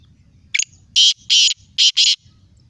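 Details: Black francolin, known locally as kala teetar, in Sindh, Pakistan, gives a short scratchy lead note followed by four rasping, grating notes grouped in two pairs, over a faint low background rumble.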